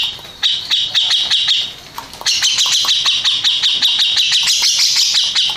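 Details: Grey-cheeked bulbul, contest winner, sings two runs of high, rapidly repeated notes broken by a brief pause, the second run rising slightly higher toward the end, over crisp clicks.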